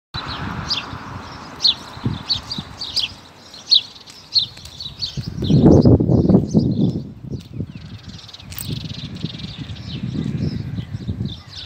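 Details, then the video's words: A small bird gives quick, high, thin chirps, several per second at first, then fainter, over bursts of low rumbling wind or handling noise. "Bird chirping!"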